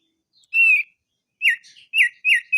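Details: Crested darkeye giving its long rolling song, known locally as ngerol: a loud sustained whistle followed by three sharp, downslurred whistled notes in quick succession, ending on another clear whistle.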